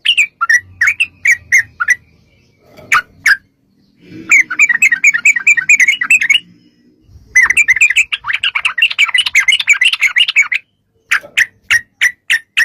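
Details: Long 'ropel' song of a yellow-vented bulbul, used to make other bulbuls sing in reply: bursts of sharp chirps and dense bubbly chattering runs, with brief pauses and some low background rumble.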